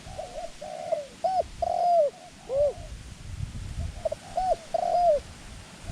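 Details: Dove used as a decoy for trapping wild doves, cooing in quick runs of bright, downward-curving notes, a brief gap splitting two phrases, with faint low rumble underneath.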